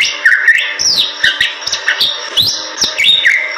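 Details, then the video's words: A very vocal Bali myna sings a rapid, varied run of bright whistles, upward and downward sweeps, and harsh chatters with clicking notes woven between them. "Suara Jalak Bali Super Gacor"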